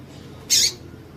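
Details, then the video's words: A single brief, harsh, high-pitched chip from a female double-collared seedeater, a call meant to get the male singing, against a quiet background. "PIADO DE FÊMEA DE PAPA CAPIM PARA DEIXAR SEU PAPA CAPIM DOIDO PARA CANTAR MUITO"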